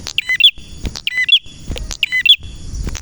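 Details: Red prinia, a male in full song, gives quick clusters of loud chirps roughly every second, each with a bright upper note and a lower flat one, beneath a faint steady whine.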